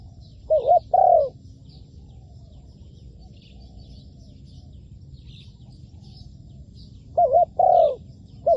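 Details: Spotted dove serving as a trapping decoy, delivering two clear low coo phrases roughly six seconds apart, each a quick bent note and a fuller drawn-out note, amid soft background hum and scattered thin chirps.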